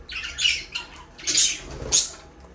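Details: Pet budgerigars, described as a breeding pair kept in an aviary, calling for a lonely bird: three loud, harsh, high squawks about half a second apart, each a buzzy rasping burst, heard indoors.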